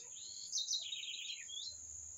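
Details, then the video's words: Bird singing a continuous twittering phrase that starts high and slides gradually downward, with a persistent shrill whine throughout and faint low rumble. "Canto dos pássaros"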